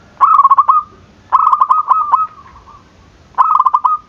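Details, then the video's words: Zebra dove giving bouncy cooing to provoke rivals into calling: three phrases of quick, clipped mellow notes, the middle one longest, each fading into a soft sustained tone. "Perkutut gacor dor, memancing emosi lawan bunyi"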